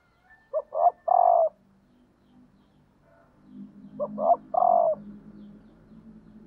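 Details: Female spotted dove calling as a lure to stimulate males. Two matching coo phrases about three seconds apart, each of two short notes and a long hollow note, over a soft low droning hum in the second half.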